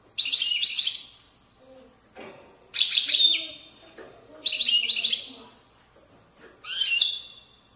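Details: Widani-style goldfinch song from the banks of Moroccan valleys, delivered as four separate bursts of quick, bright, chattering notes, several ending in a sustained thin tone, with faint low murmurs between.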